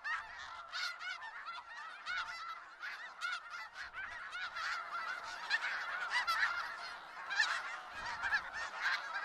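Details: Large flock of snow geese in Skagit Valley, dense chattering honks overlapping throughout, the chorus swelling louder in the second half with a few nearer barking calls.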